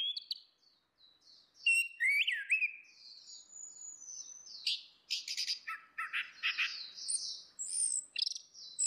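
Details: Orange-headed thrush song, female against male, in a full open lure style: scattered high whistles, then a rising slurred note followed by a continuous run of buzzy, chattering and whistled phrases.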